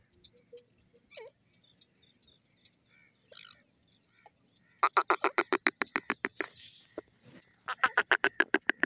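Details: Grey francolin in the crossing season. Faint scattered notes give way to a loud, rapid run of harsh, clipped notes. A short pause follows, then another fast burst.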